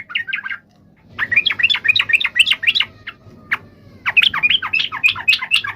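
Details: Yellow-vented bulbul fighting song, used to make other bulbuls answer: a short chirp run, then two longer bursts of quick, bubbly notes separated by a single sharp note, over soft low background rumble.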